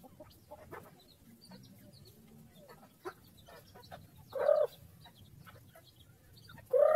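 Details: Farm chickens, content while eating food: soft scattered clucks and pecking ticks, then two louder drawn-out nasal calls near the end. Light background rustle.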